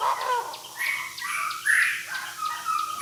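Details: Decoy Chinese francolin calling the flock: a sequence of loud, harsh, strongly accented strokes that rise and fall, with the strongest notes in the middle and at the end, over a faint steady background hiss.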